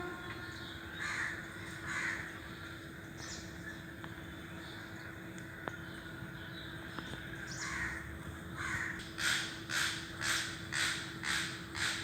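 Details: Crow; call; answering another crow's call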